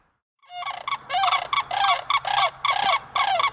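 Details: Sandhill cranes dancing, giving loud, rolling, rattly bugling calls with rich harmonics, delivered in about seven rapid bursts over three seconds after a brief silent start, with no other clear sounds.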